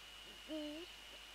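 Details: Single short, low hoot from a Eurasian eagle-owl on a night visit to its nest, 20 January 2014, slightly rising at the end, with a steady thin electronic whine behind it.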